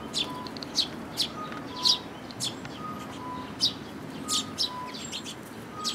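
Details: Sparrows, an adult with its chick, recorded on 18 May 2018: short, bright chirps at irregular intervals of roughly half a second to a second, over a steady low background hum with faint tonal beeps.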